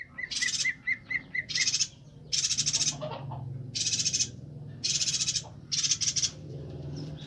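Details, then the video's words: Bornean yuhina singing vigorously, used as a tutor recording for training songbirds: a quick run of six short clipped notes, then a series of loud, harsh, buzzy bursts in rapid succession, over a low background hum. "Suara burung Perenjak Batu/Yuhina Kalimantan Gacor untuk Masteran"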